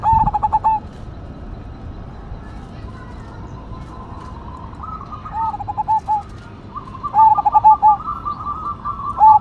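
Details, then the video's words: Cemani Majapahit zebra dove with a big voice, giving clipped cooing phrases, each a burst of rapid notes and a held ending, at the start and again toward the end. Steady chattering from other birds fills the gaps. "PERKUTUT CEMANI MAJAPAHIT GACOR SUARA BESAR"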